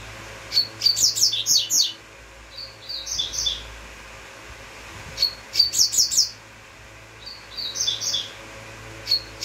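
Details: Double-collared seedeater singing in the uruguayo style: bursts of high, rapid, sharp chirped notes, each phrase under two seconds, separated by short pauses and faint softer twitters, over a low steady hum.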